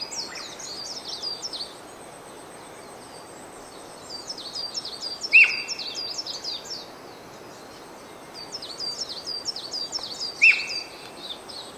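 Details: Loud 'pyuii' whistles of a Japanese Green Woodpecker recorded 5 May; two clear notes about five seconds apart, each a quick rise into a sustained even whistle, with bursts of thin high twittering from other birds between.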